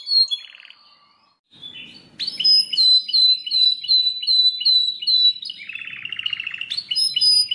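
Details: Belgian canary: thin notes, a quiet gap, then loud high whistled phrases repeated in quick succession, a buzzy rattle around the sixth second and more whistles, over a faint low rumble.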